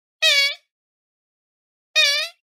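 A swamphen gives two loud, nasal, wailing squawks, each under half a second, about one and a half seconds apart, with silence between.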